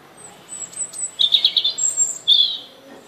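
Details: Short stretch of a European robin's song: a high thin whistle, then a quick jingling warble and a final bright trilled phrase.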